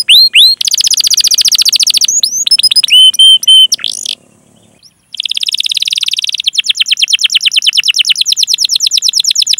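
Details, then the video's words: Canary rolling song with cuit-cuit chirps, intended to lure other canaries into singing; fast rolls and varied sparkling notes, a brief pause, then a long rapid roll. "Masteran Suara Burung Kenari Gacor Panjang cuit cuit Ngerol untuk Pancingan Kenari!"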